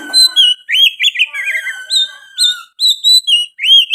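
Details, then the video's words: Oriental magpie-robin singing continuously, its song mixed with sooty-headed bulbul phrases: rapid rolling whistles, descending slurs and crisp upswept notes repeated in quick succession. "KICAUAN KACER GACOR MBESET ISIAN KUTILANG"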